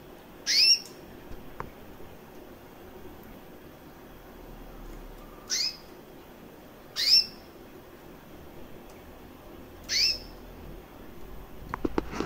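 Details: Female recessive white canary, roughly a year old, with red-factor eyes, piping five brief high upswept chirps at irregular intervals of one to three seconds, with a few clicks and handling noise at the end.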